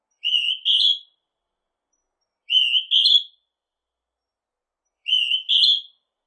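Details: Northern hawk-cuckoo calling three times: piercing two-part whistles, the second part pitched higher, with gaps of roughly two seconds and no other sounds.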